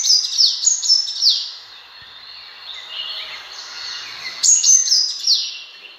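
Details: Sunbird hunting call: rapid, high-pitched sweeping chirps and squeaky twitters. It softens into a fainter, continuous warble midway, then resumes in sharp, bright bursts.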